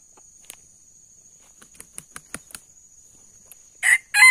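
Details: A wild male Sumatran red junglefowl, one of two approaching a traditional decoy, gives a clipped, harsh two-part crow at the very end, after faint clicks and rustles over a steady high insect-like whine.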